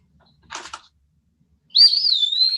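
An Eastern Wood-Pewee gives a clear, high, slurred whistle that wavers up and down before drawing out, its pee-wee song. A brief rustle comes just before.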